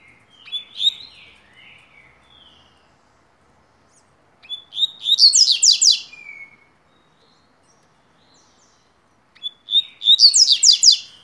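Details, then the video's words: Double-collared seedeater (coleiro) song used as training notes for young birds: three phrases about every four to five seconds, each opening with clear whistles and running into a fast, bright, buzzy trill. "Coleiro Tui Tuí"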